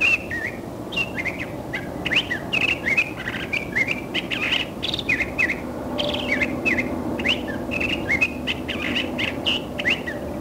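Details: A Curve-billed Thrasher sings its song, a long, rambling, unbroken run of quick whistled and warbled notes, several per second, over a steady low background hum.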